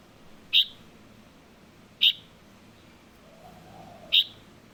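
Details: Juvenile light-vented bulbul calling: three short, sharp, high chirps spaced about one and a half to two seconds apart, each a brief bright note, over a faint low background hum.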